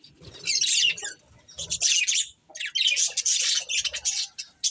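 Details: Budgerigars, a breeding pair, chirping: bursts of harsh, scratchy chatter with squawky notes high in pitch, separated by brief pauses, with faint low thumps underneath.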